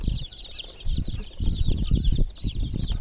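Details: High shrill peeps from chicks in a water pool repeat rapidly above heavy, pulsing low-pitched noise that swells and fades every second or so.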